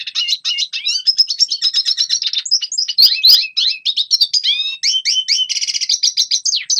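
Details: Song of a red siskin, meant as a training recording for young birds: continuous fast chattering twitter mixing sharp chips, downslurred whistles and short buzzy rattles.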